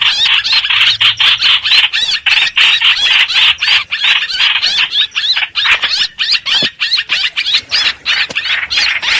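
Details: Streak-eared bulbul, a lure for bird trapping: rapid rasping, scratchy notes with wavering squeaky whistles, pouring out almost without pause.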